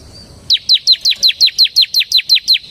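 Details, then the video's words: Bar-winged prinia of the semi type singing in rapid ngebren style for luring and tutoring birds. After a faint high whistle, one steady run of twelve loud, piercing, downward-slurred chips follows at a brisk, even pace. "suara burung CIBLEK SEMI GACOR Ngebren"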